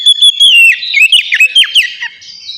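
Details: Captive-lure ngeplong song of the oriental magpie-robin: a clear drawn-out whistle followed by a quick string of downslurred whistled notes and short chirps, fading into a thin high tone at the end.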